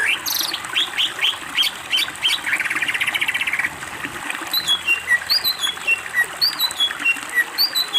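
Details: Greater green leafbird master training song showing its isian: upslurred chirps, a long rapid buzzy trill, then a sequence of high downslurred whistles repeated about twice a second.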